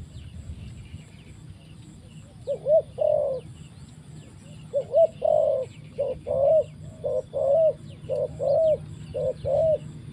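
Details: Decoy spotted dove used in trapping, giving a series of short, mellow coos, roughly nine notes in quick pairs and singles, starting after a couple of quiet seconds over a steady low rumble.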